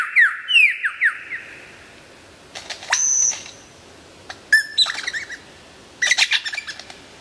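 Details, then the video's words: Lyrebird in loud song: repeated dropping whistles, a high buzzy tone, clicking bursts, and chattering phrases separated by brief silences. "suara burung lyrebird gacor"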